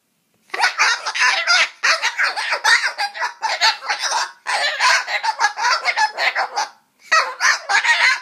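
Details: A cockatoo grumbles in harsh, raspy, chattering bursts while trying to scare away a mosquito, running almost continuously with two brief pauses.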